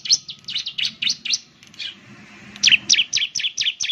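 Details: Ciblek lure sound: a continuous fast series of bright, high chirps, about four per second, slightly varied in shape, above faint low noise.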